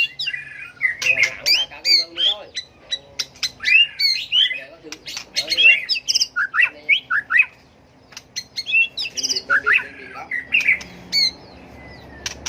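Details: White-rumped shama delivers a combative, tail-flicking fighting song to stir and train other birds: a dense burst of chattering, harsh and whistled notes, then a quieter gap and more warbled phrases, with frequent sharp clicks.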